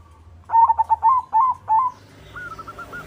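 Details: White zebra dove singing to stimulate other doves: a loud run of about six rapid, slightly wavering coo notes, followed by a fainter, more distant series of similar coos.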